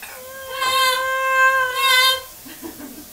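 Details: Pet double yellow-headed amazon indoors with children nearby, whining like a child telling on a daughter who picks on it; two long, drawn-out, nasal 'MAAAA' wails, the second slightly higher, then quiet murmuring.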